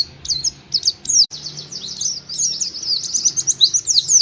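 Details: Lure song of an Oriental white-eye for prompting caged birds to sing: a few separated high chirps, then an accelerating run of quick, sharply slurred twittering notes over a soft low hum.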